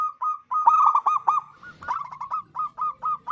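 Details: Local zebra dove singing vigorously as a lure for other doves: a dense, loud cluster of rolling coos, then evenly spaced single cooing notes at a steady pace.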